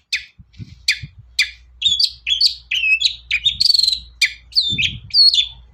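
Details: Long-tailed shrike song played as a prompt to make other shrikes sing: rapid varied chirps, sharp downward notes and squeaky whistled phrases delivered in quick bursts, with a faint low rustle.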